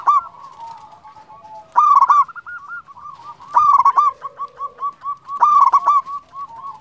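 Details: A champion zebra dove of local stock sings, a recording meant to rouse quiet doves. Strong cooing phrases come roughly every two seconds, with steady trains of looping softer coos running between them.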